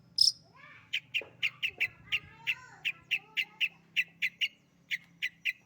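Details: Long-tailed shrike kept as a pet, singing actively: one loud high squeak, then a regular series of short, bright chip notes roughly three per second, with faint lower slurred whistles.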